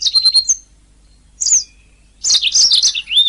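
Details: Canary song used as a master recording for training singing canaries: a bright high trill with a sustained whistled note, a short rising whistle, then a dense rapid warbling rattle ending in a falling slurred whistle.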